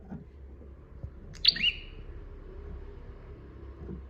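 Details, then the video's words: Bar-winged prinia master recording for training other birds: a single sharp chirp at mid-clip, a high note sliding down into a shorter lower whistle, over a low background hum and faint knocks. "KICAUAN SUARA PRENJAK GACOR DOR"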